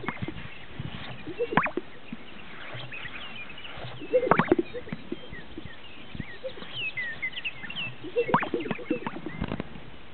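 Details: Greater sage-grouse displaying at a lek in northern Utah: sharp, dry pops come in clusters near 1.5, 4.3 and 8.3 seconds, with short hollow blips, and other birds chatter faintly in the background.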